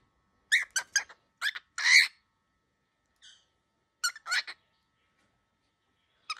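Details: Angry baby cockatiel indoors giving short harsh squawking bursts in two clusters, each broken into several rapid notes, separated by brief pauses.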